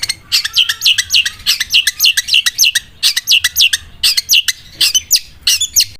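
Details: Sewing-machine song from a long-tailed shrike, clusters of quick high sliding notes in rapid bursts separated by short pauses, accompanied by a faint low hum.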